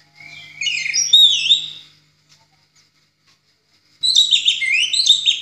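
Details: Orange-headed thrush song used as a master recording to train other birds: two bursts of rich, high, rapidly varied warbling and whistled phrases, separated by a two-second pause, over a faint low hum.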